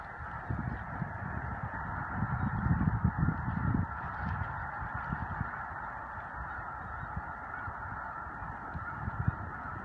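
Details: Spring-migrating snow geese gathered near Choteau, Montana, March 18–19, 2015, a vast chorus of yelping honks, swelling louder around the third second, over heavy low rumbling.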